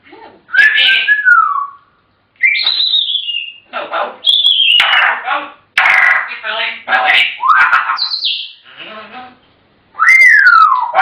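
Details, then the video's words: African grey parrots chatter in a rapid run of speech-like syllables, high falling whistles and clicks, with brief gaps and a loud, steeply dropping whistle near the end. "Chatterboxes!! African Grey Parrots"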